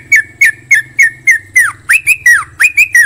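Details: Trucukan (Yellow-vented Bulbul) giving about eleven loud, clipped notes in three seconds, each sliding down sharply, with a few notes rising or swooping, over a low steady hum.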